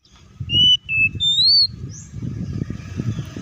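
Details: Oriental magpie-robin song meant to provoke other magpie-robins into singing: three loud, clear whistled notes over about a second, one slurred upward, then a low rumbling background.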